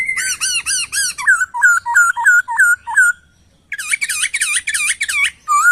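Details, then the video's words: Laughingthrush master recording for training songbirds: rapid repeated looping whistles, then falling slurs repeated about twice a second, a brief pause, and a dense burst of rich, rising-falling notes. "Masteran Burung Poksay"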